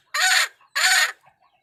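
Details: Hen of a wild chicken calling the rooster with two loud, harsh squawks, each about a third of a second long and half a second apart, with faint soft clucks between and after.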